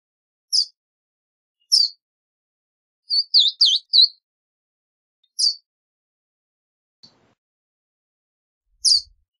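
A Verdin gives sharp, high chips, mostly single notes a second or more apart, with one quick burst of four; otherwise quiet.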